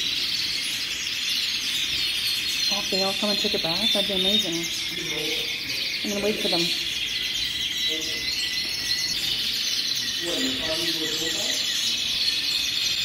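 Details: Hundreds of beautiful canaries singing, high rolling trills and chattering warbles running constantly, punctuated by clusters of lower, stacked chirping notes from around three seconds and again near ten seconds.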